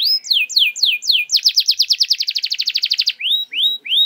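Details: Canary song as a singing lure: a few slow downward sweeps, then a dense rapid rolling trill, ending with drawn-out rising whistled notes.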